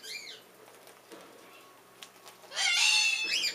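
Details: Pet Triton cockatoo, responding to a recording of a bare-eyed cockatoo, gives a loud, harsh, rasping screech ending in a rising-falling squawk, preceded by a softer arched call; a pet bare-eyed cockatoo is also heard in the background.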